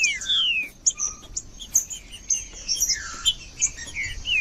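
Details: Song of a green-winged saltator, used to get a cold, silent bird singing: bright whistled notes gliding downward, in short spaced phrases, with thin high chips between them.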